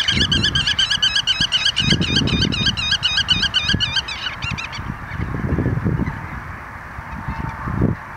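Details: Black-tailed godwits in spring at Lingezegen, 3 April 2020: a fast run of nasal, wavy, looping notes, about four per second, for four and a half seconds, then fading away, with steady low wind rumble throughout.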